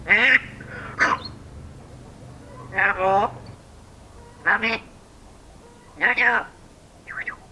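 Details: African grey parrot imitating human speech: five short, voice-like syllables with clear harmonics, spaced irregularly with quiet gaps between them.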